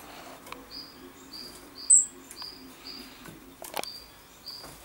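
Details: Common chaffinch recorded on 22 August 2013: a series of short, level, whistled notes repeated roughly twice a second, with a brief higher squeak and a few sharp clicks in between.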